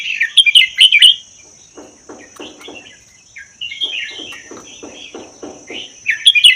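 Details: Red-whiskered bulbul from the Vietnam–Laos wild, kept a year, gives a loud warbled burst, then a run of rhythmic softer clicking notes beneath flowing chatter, and a closing loud phrase; meant to spur other bulbuls to sing.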